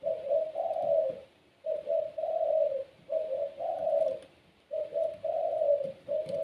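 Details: Puter pelung dove, a domestic seed-eating songbird used to get other doves calling, repeats a clean low two-part coo, short then longer, roughly every one and a half seconds, four phrases in all.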